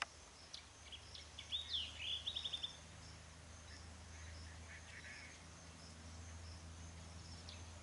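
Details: A White-throated kingfisher, possibly a juvenile or an odd-coloured bird, gives a quick, shrill chattering trill of about eight high notes in just over a second, over a steady low rumble.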